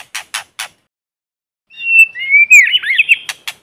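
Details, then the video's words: White-rumped shama singing in forest as a lure bird, no background noise: three dry clicks, a pause, then a long rising whistle flowing into warbled notes. "Tiếng chim Chích chòe lửa mồi hót kích bổi không tạp âm | White-rumped Shama singing in forest"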